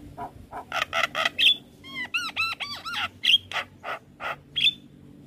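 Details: Javan myna singing, meant to train young mynas: harsh rasping notes alternating with bright whistles and a quick run of bouncy upslurred notes.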